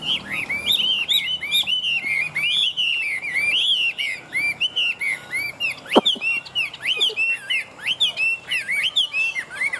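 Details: Old wild-caught Chinese hwamei, a large bird kept for fighting and display and praised for strong singing, delivers a rich run of loud, looping whistled phrases, many rising then falling, in quick varied succession with one sharp click midway.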